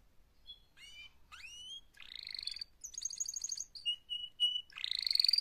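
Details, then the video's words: Mating song of a canary, starting softly with upward-sweeping slurred notes, building to loud buzzy rolls, a quick high trill, repeated steady whistled notes and a final loud rasping tour. "Active LIVE mating call Canary Singing"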